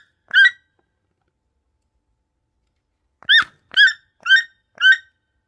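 A toucan gives short, hoarse, squeaky notes: a single note, a pause, then four more about half a second apart, against a quiet background.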